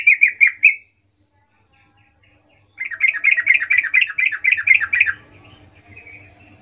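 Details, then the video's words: Sooty-headed bulbul lure song meant to call companions to respond: a short burst of bubbly chirps, a pause, then a long, fast, rolling series of about twelve bright warbled notes fading into a faint low hum. "suara pancingan trucukan gacor Ngerol memanggil teman"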